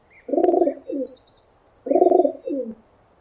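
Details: Pigeon cooing: two low, bubbling coo phrases about 1.5 seconds apart, each a rolling first note followed by a shorter, softer second note, with faint high chirps of other birds above.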